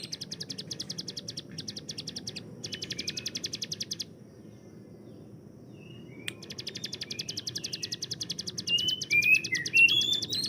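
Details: Hill prinia kept as a master songbird: long bursts of fast, evenly spaced ticking notes, a pause, then more rapid ticking ending in a few bright whistled slurs.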